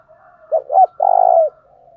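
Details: Single spotted dove phrase, used as a lure for wild doves: two short rounded hoots, then a long, low, steady coo that sags slightly at its end over faint background calling.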